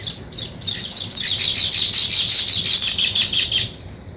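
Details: Weaver birds at work building a nest, giving dense, loud, high chattering chirps that run almost continuously for over three seconds before stopping abruptly, leaving a faint background hum.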